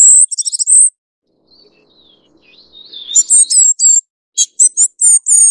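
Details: Ferruginous flycatcher (Muscicapa ferruginea) giving very high, thin calls: a quick tinkling burst, a faint sliding whistle, then a run of sharp, slightly buzzy notes, several per second.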